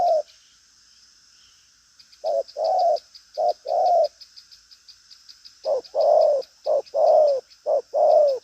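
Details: Spotted dove, 'đồng pha chân cua' form, a strong cooer with a lively, bustling manner and flourish-ended coos. Low mellow coos come in short-long pairs, then fall silent for about two seconds before resuming faster, over a constant thin whine.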